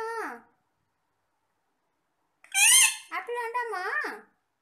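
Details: Pet parrots holding a conversation while feeding on apple; a short falling word-like call, a pause of silence, then a loud bright burst running into a string of chattering, speech-like syllables.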